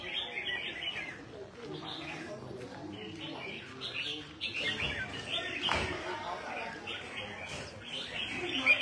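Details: A newly imported red-whiskered bulbul sings in a fighting-song mood: bright, chirpy whistled phrases in quick succession while a man talks over it.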